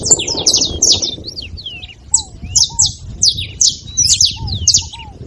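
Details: Saffron finch singing dense clusters of piercing chirps that pause briefly and then resume in evenly spaced notes, used to prompt a cold canary to sing; occasional low curved whistles below.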